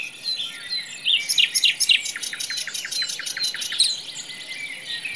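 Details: Forest nightingale delivering a fast series of sharp, clicking, downward-swept notes, repeated several times a second in a loud burst, with softer bird calls behind.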